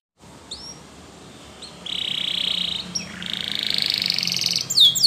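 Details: Spanish Timbrado canary training song, fairly soft: a couple of short whistled notes, then smooth rolling trills rising in loudness toward the end.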